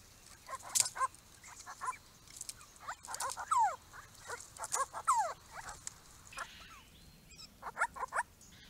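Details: Small group of wild Grey-crowned Babblers coming to a backyard pond built for them in 2017; clustered chattering notes with several quick downslurred squeaks, rising and falling in bursts.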